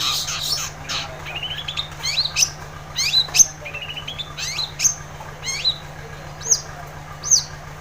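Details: Lively long-tailed shrike song used to stir a silent shrike: fast trilled runs of rising notes alternate with very high, sharp whistles and squeaky accents, set against a faint low hum.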